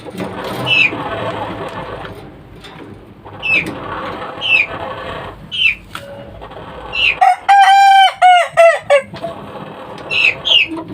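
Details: Young kukuak balenggek chicken, three months old, gives a strong multi-part crow late in the recording: a long held tone followed by a rapid run of short stepped syllables, with high thin bird chirps scattered before and after.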